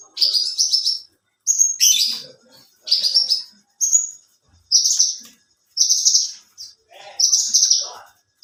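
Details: Alinea-type Australasian bushlark, a contest bird known for duration and song material, giving loud buzzy trilled bursts of about a second each, separated by short silences, with soft lower chatter between them.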